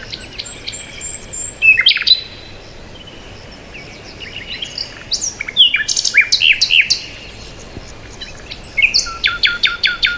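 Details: Assorted wild birds chirping: sharp high chips and short downslurred whistles in loose bursts, some rapid trills near the end, with a steady low hiss of background noise between calls.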